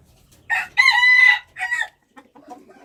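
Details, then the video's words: Wild chicken crowing loudly and close: a brief opening note, a long drawn-out harmonic middle note, then a shorter falling final note, with faint clucks trailing after. "Noob qaib qus Qaib dib qua zoo - wild chickens"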